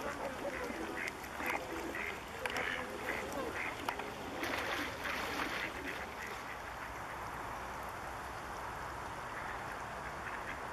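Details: A Bewick's swan flock at České Budějovice, Czech Republic, in February 2014. Bursts of mellow overlapping honks fill the first six seconds, then fade into a quieter hum of distant calling.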